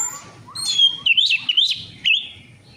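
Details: Orange-headed thrush song serving as a lure to stimulate singing: a fluid, rapidly modulated warble that rises and falls in quick loops, given as one continuous phrase before trailing off.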